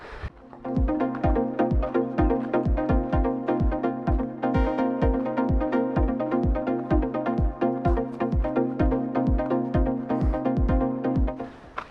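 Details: Electronic dance music with a steady kick drum and sustained synth chords, with no animal sounds.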